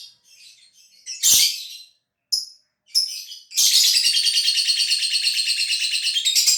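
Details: Caged lovebird from Gresik, East Java, Indonesia, performing its long trill after the cage cover is opened; a few scratchy chirps, then a sustained buzzy rattling trill of fast pulses lasting about three seconds.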